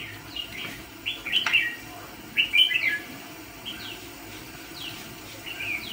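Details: Caged red-whiskered bulbul decoy, kept for trapping fighting birds, sings bursts of bright, chattering, warbled notes a few times over six seconds, against a constant droning hum and faint background noise.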